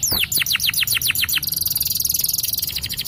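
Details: Yellow canary, a champion singer, sweeping out quick falling whistled notes that speed into a dense, high, rattling trill.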